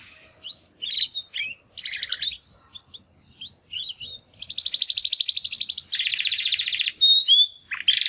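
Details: Young male Timbrado canaries, two brothers from the second 2020 breeding round, practise singing after their first molt. Varied short chirps and slurred whistles build into a long, dense, rolling buzzy trill, followed by a clear rising whistle and further chirps.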